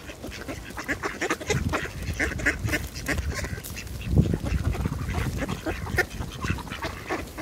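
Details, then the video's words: Ducks in a feeding frenzy, giving harsh, overlapping quacks throughout amid constant broadband noise and low rumbling. "Duck Feeding Frenzy"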